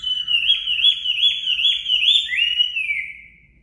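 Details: Song of a natural-voiced Chinese hwamei used to train caged birds: quick upslurred whistles repeated about every half second, then a longer rising note that slowly fades out.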